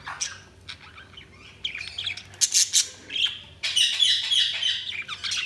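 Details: Budgerigars chirping in short bursts of bright, high twittering, with quiet gaps between and a steady low hum underneath.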